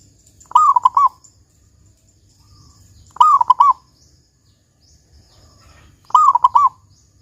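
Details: Local perkutut (zebra dove) with a loud 'kung' song meant to coax other doves into singing: three trilled, cooing phrases of four to five notes each, spaced nearly three seconds apart.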